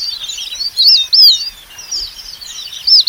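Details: ['Red avadavat giving a few high, sweeping squeaky notes, with a soft wavering twitter running steadily behind them.']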